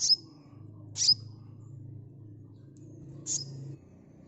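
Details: Sunbird chirps meant to draw a quick response: three high, abrupt notes with thin descending tails, separated by long gaps over a steady low hum.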